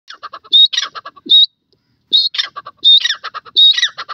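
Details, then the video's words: Southern Red-legged Partridge (Dakhni teetar) calling in forest: loud, harsh squawking phrases broken by shrill whistled notes, repeated in bursts about once a second. "dakhni teetar bird sound in forest,partridge awaz"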